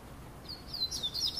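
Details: On a summer afternoon in São Paulo state, Brazil, a Double-collared Seedeater sings a quick run of high, thin, slurred notes over about one second, with faint background hiss.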